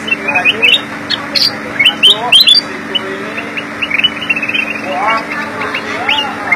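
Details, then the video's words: Black-crested bulbul, locally called kutilang emas or cucak kuning, singing actively with varied notes: bright, bouncy whistled phrases in quick runs of short rising and falling notes, with a steady low hum behind. "Kutilang emas gacor isian"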